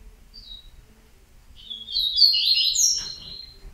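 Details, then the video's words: Yellow-bellied seedeater (coleiro baiano) singing a fast, high, warbled phrase of twittering notes lasting under two seconds after a brief faint opening chirp, with low background hum. "COLEIRO BAIANO"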